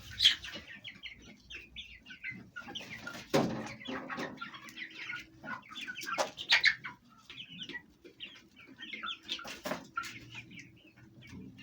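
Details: Fayumi hens and big chicks at home, eating and fighting; scattered clucks and high chirps come in bursts, with a loud flapping rush near the middle.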